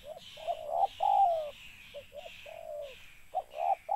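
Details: A spotted dove gives soft, hollow coos in short, low phrases, each note slightly rising then falling with brief gaps; the bird is used as a lure caller for trapping doves.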